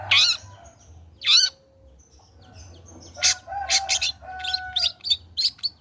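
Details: Long-tailed shrike singing after its molt, used to lure shrikes into song: two sharp rasping notes, a pause, then a busy series of short harsh chips over a faint low steady tone.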